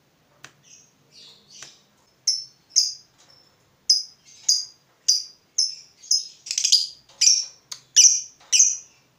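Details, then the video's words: A fighter lovebird roused by a rival utters separate sharp, shrill chirps, faint and sparse at first, then louder and evenly spaced roughly every half second, in an otherwise quiet room. "Terpancing Emosi Begitu Lihat Lawan, Lovebird Fighter ini Langsung Narung"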